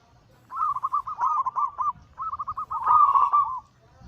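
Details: Zebra dove of the perkutut anggungan cooing style, a local Bangkok crossing bird kept for training and luring: two rolling coo phrases of rapid beaded notes, each about one and a half seconds, with faint low rumble beneath.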